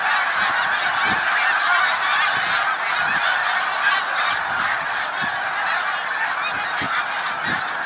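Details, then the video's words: Massed snow geese at Middle Creek Wildlife Refuge, Pennsylvania, on March 1, 2021, producing a loud, unbroken wall of honking and yapping calls from many birds at once, steady in volume throughout. "Snow Geese"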